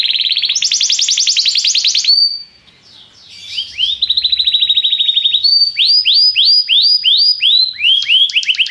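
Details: Belgian canary song: a bright rapid trill, a short pause, then a long run of repeated rising whistled notes and chattering rolls, strong and clear throughout.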